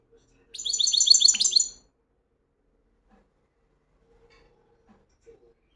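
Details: Single burst of European goldfinch song: roughly a second of rapid, repeated bright, tinkling chirps at high pitch, followed by silence.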